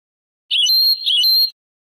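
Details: European goldfinch in the Moroccan Sebtaoui song style, from an old cleaned-up cassette recording: a single one-second phrase of high, jingling twitters with a brief dip in the middle, otherwise silent.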